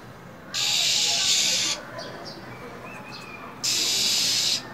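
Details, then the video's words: Female than songbird, caged, in cold winter, hissing to excite a male: two long rasping hisses about three seconds apart, with soft thin whistles between them. "Than mái khè, rít liên tục"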